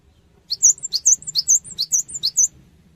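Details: Cinereous tit song used as a lure to prompt other birds to respond: about nine bright, high two-note phrases in quick succession, each a sharp rising note followed by a whistled slur, over two seconds.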